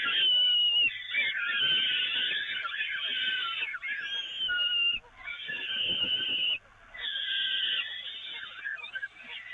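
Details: Evoluon peregrine falcons, fed from the grating on 13 May 2018: long, grating screams of several seconds each, separated by brief silent gaps, with a thin whistled sweep in the middle.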